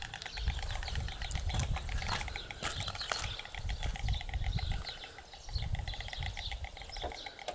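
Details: White stork clattering its bill, a sustained rattle of quick clicks with several sharper knocks, heard against gusty low-pitched wind.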